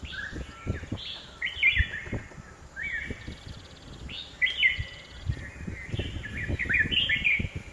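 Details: Red-whiskered bulbul in a home garden at Hosur, giving loud, bright whistled phrases of three or four slurred notes, rising then dropping, several in quick series with brief pauses, over low background rumble.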